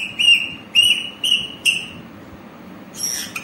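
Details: Green parrot giving four clear, even whistled notes at a steady high pitch in quick succession, each lasting about a third of a second, followed by a short harsh, noisy screech at the end.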